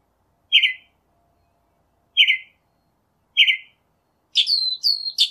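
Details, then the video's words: Northern mockingbird singing in nature: three separate harsh, buzzy phrases about a second and a half apart, followed by a quick run of sharp, high, repeated notes at the end; no other sounds. "Birds Singing - Northern Mockingbird"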